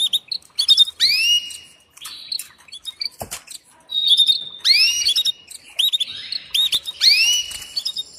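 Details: Calling for a mate, a female canary gives bright, rising, slurred whistles that sweep upward and hold, mixed with short chirps and buzzy high notes, in loud separate phrases.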